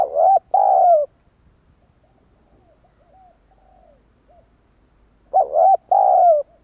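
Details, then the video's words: Coos of a spotted dove used to bring wild doves in quickly: a loud paired phrase of a clipped double note and a long sliding coo, faint answering coos in the pause, then the phrase repeats. "Chim cu gáy kích bổi nhanh nổi hiệu quả"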